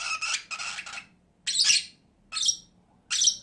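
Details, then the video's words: Two pet lovebirds: a double burst of grating, buzzy squawks, followed by three single shrill screeches spaced under a second apart. "CİCİKUŞ SESİ----Cennet Papağanı"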